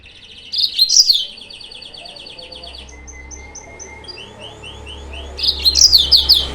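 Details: Lure song of a yellow-fronted canary used to provoke rivals: a loud chattering burst over a trill, followed by a thin sustained whistle and quick rising chips, then another loud burst; faint low rumble beneath.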